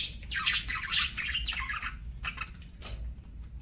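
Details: Parakeets eating give a string of grating squawks and warbling chirps in the first two seconds, then sparser short clicks and squeaks fading out over a low hum.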